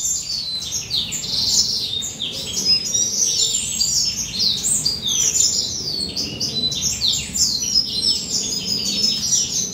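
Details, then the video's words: A molting male western citril, two to three years old, gives a subdued but continuous song of rapid, jumbled high twitters, chirps and brief whistled slurs. The phrases run on without a break, with no other clear sounds. "Western Citril Male's Song"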